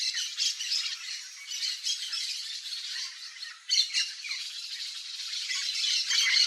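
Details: Free yellow-faced parrot in natural Cerrado habitat, Brazil: continuous scratchy, grating squawks and chatter with a brief pause before a louder rasping burst, then steady harsh calling to the end.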